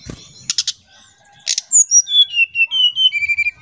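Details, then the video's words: Oriental magpie-robin singing in the nyuling style, used as a lure sound: harsh scratchy bursts, then a clear whistled phrase of about a dozen flute-like notes stepping down in pitch, fairly even and quick. "Suara Pancingan SRDC Nyuling"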